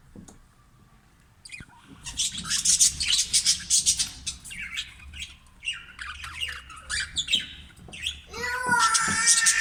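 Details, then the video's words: Caged green budgerigars kept for breeding chatter in dense, scratchy squawking bursts after a quiet start, the flock noise swelling toward the end with a louder harsh call. "bajri parrot | voice"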